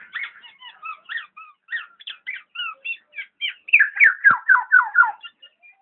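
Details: Black-naped oriole giving a string of short, varied whistled notes that builds into a louder series of rapid down-slurred whistles repeated about twice a second.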